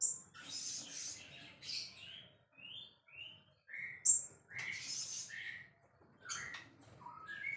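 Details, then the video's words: Champion white-rumped shama singing energetically, a quiet run of short whistled phrases and high thin notes broken by brief pauses, over a faint low rumble. "Bird sounds murai gacor juara"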